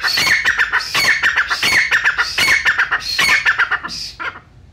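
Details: Brown francolin from Pakistan, recorded for hunters: rapid, strident, rattling phrases repeated back to back, then fading into quiet at the end.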